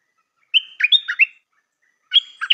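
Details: New decoy stripe-throated bulbul singing a rapid chuckling phrase of a whistle and four bubbly notes, then starting a second phrase about a second and a half later; nothing else audible.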